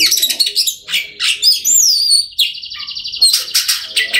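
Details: Oriental magpie-robin, song used to stimulate silent magpie-robins to sing: rapid scratchy notes, high whistles sliding down, a sustained buzzy trill, then fast rattling phrases.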